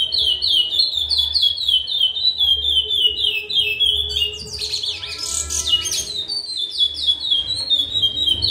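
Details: Caged chestnut-bellied seed finch, a breeding male, in full song. Rapid whistled notes roll in a lively, repeated series, then a sudden shrill, scratchy flourish, and the whistling resumes; a faint low hum runs beneath.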